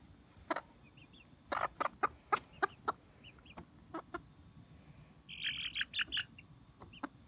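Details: Chickens being handled, giving a series of short broadband clucks and squawks, several quick bursts between one and three seconds, then a higher rasping chatter near five to six seconds over a quiet background.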